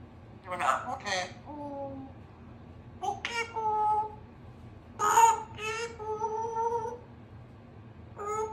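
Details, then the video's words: A young female Congo African grey parrot, hatched June 2021, practises her words indoors, with "apple" as her word of the week. Short, speech-like phrases with a few clipped whistled notes between bursts, in a quiet room. "African Grey Parrot as she practices her words"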